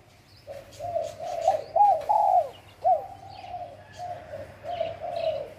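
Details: Coo phrases from a wild spotted dove in Bang Bai Mai, Surat Thani, Thailand. Mellow notes run into a louder arched coo and a long falling note, then quieter sustained coos trail off. Faint higher chirps sound in the background.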